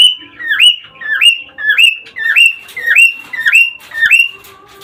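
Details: Cockatiel song played to encourage mating: a clear whistled phrase repeated about every two thirds of a second, each dipping low then sweeping up to a sustained high note.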